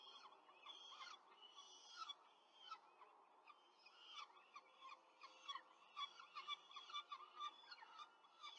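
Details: Rome peregrine falcon nest, 5 May 2023, four chicks being fed quickly by their mother: dense, excited chorus of high arched squeals and chitters, roughly two per second, shrill and overlapping throughout.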